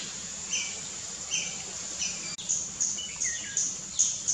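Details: In Perlene Forest, Goa, 2017, a Tickell's blue flycatcher sings brief, high phrases of thin downslurred notes at roughly even intervals, with a continuous high-pitched hiss behind them.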